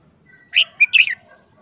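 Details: Caged red-whiskered bulbul, listless after more than a month of moulting under a cover, sings one crisp phrase: a slurred opening note, a short piercing middle note and a quick descending warble. A thin steady tone sounds faintly beneath.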